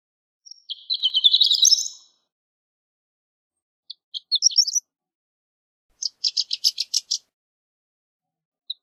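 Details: Horned lark, known as shore lark in Europe, giving a dense rising twitter, a short group of high notes, then a rapid series of about eight clipped, buzzy notes repeated evenly.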